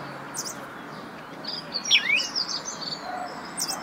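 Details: House sparrow giving a few short chirps, each sliding down from high to lower pitch, grouped near the middle of a faint recording with steady background hiss.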